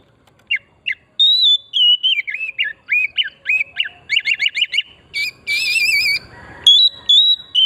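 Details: Oriental magpie-robin in full song, played as a lure to make other birds sing, forest style: two short notes, then a fast string of whistled, descending and zigzag phrases, buzzy trills and wavering high whistles.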